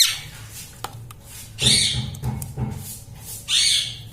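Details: Pet parrot that says mummy, papa and mithu, heard here giving two harsh, raspy, noisy squawks about two seconds apart. Faint clicks and a low droning hum sit beneath them.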